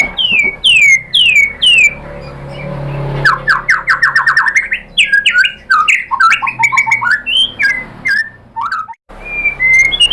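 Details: White-rumped shama song played as a lure to provoke another bird into singing: rapid runs of falling whistles, trills and varied jumbled phrases with crisp clicks, over a steady low hum.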